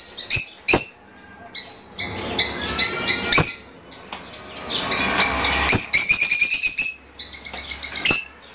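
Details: Song of Fischer's lovebirds meant to encourage mating: irregular squeaky chirps build into a continuous shrill chatter, then a final sharp burst, over a faint low background hum.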